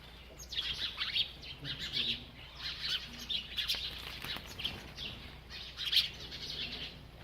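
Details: A bird chirps as it eats, giving a steady run of short, high twittering notes across the whole stretch, some louder chirps standing out near the middle and near the end, over faint low background noise.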